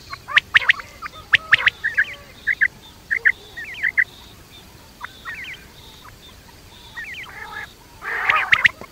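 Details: Quail heard at night: a string of short rising chirped notes, spaced about every half second, with sharp clicks at the start and a harsh raspy burst near the end.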